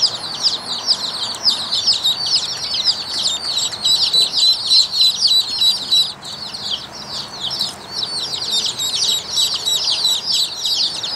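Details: A brood of Rouen ducklings, domestic ducks, keeps up continuous shrill peeping, many high chirps overlapping in a busy, uneven stream with a brief lull near the middle; no other sounds stand out.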